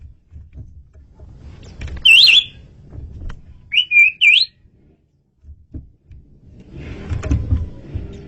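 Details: Asian pied starling, a loud, clear recording suited to luring birds: a looping whistled phrase, then after a gap a low flat whistle followed by a sharp rising one, with rumbling background noise throughout.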